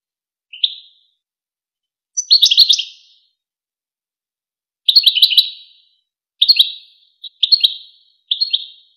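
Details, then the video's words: European goldfinch song in the well-known Wakr Touzgha style, used as a training recording to teach young goldfinches and hybrids to sing: bright twittering, tinkling phrases of rapid high notes in separate bursts, with clean silence between phrases. "شريط وكر توزغة الشهير لتسميع فراخ الحسون و الهجين"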